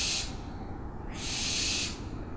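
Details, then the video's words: Owl calling with two harsh, breathy hissing bursts, the first short and the second longer and sustained, rasping noise with no clear pitch over a quiet background. "OWLS SOUNDS"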